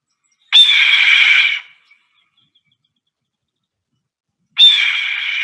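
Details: A Red-tailed Hawk's scream, the sound often dubbed in for bald eagles, played as an example: two hoarse, rasping screams about four seconds apart, each roughly a second long and slightly falling, with silence between.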